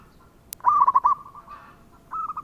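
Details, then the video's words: Single local zebra dove phrase: a click, then a loud rolling burst of rapid coos fading into a soft drawn-out tail, with a short fainter coo sequence at the end. "Perkutut Lokal Gacor dengan Suara ini"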